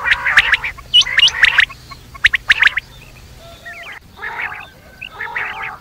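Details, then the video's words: Quail calling at night, a lure sound for the night: harsh, raspy bursts about a second apart, topped with sharp high clicks and short rising whistles, then softer, fainter rasping bursts with wavering notes. "batair rat wali awaz"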